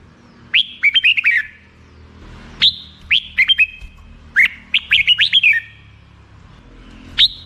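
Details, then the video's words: Song of the black-crested bulbul: crisp whistled phrases of a high rising note dropping into quick descending chirps, given in bursts separated by short silences, over a quiet background. "suara burung merbah jambul"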